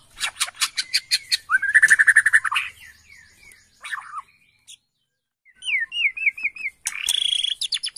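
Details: A Bornean white-rumped shama, answering within seconds of a lure recording, sings a varied, rich phrase mix: sharp clicks and chatters, a sustained whistle, then a rapid rising-falling warbled run and harsh scratchy notes.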